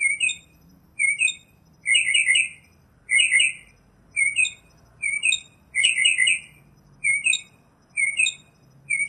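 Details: Northern mockingbird singing a series of high, buzzy, rattling phrases, each repeated roughly once a second. The phrase shifts partway through, from clipped double notes to fuller chattering bursts, over a quiet low hum.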